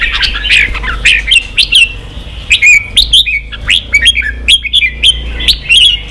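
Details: Red-whiskered bulbul singing, used to stir wild-caught birds into fighting and to train singing: short, bright whistled notes repeated about twice a second, each sliding up then dipping, over a low steady hum.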